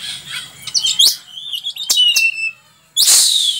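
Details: Oriental magpie-robin singing, taken from a 2019 tutor recording for training birds. A few sweeping whistles and sharp clicks are followed by a long falling whistle, then a loud rasping burst.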